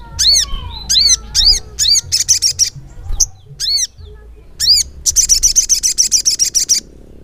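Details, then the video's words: Crimson sunbird (sogok ontong) in energetic 'gacor ngleper' song. Clusters of arched high notes alternate with quick buzzing trills, the last trill running about two seconds. Faint low rumble throughout. "SOGON GACOR NGLEPER"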